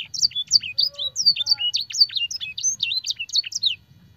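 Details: Training song of a canary with blackthroat and sanger phrases: quick high whistled slurs and chips in a fast, uneven string, a few soft lower tones mid-phrase, ending abruptly before a brief quiet tail.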